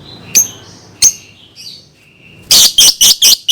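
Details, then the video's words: Lovebird song used to train young birds: a few thin, squeaky notes, then a loud run of five harsh, buzzy chirps. "SUARA BURUNG Love Bird COCOK BUAT PANCINGAN PAUD"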